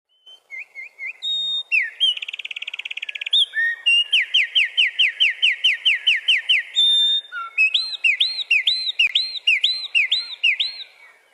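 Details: Wren, a single male singing loudly to defend his territory: a fast, energetic outpouring of high notes, with short chirps, a rapid trill, a run of quick repeated downslurred notes and a final series of looping phrases, over eleven seconds in quiet surroundings.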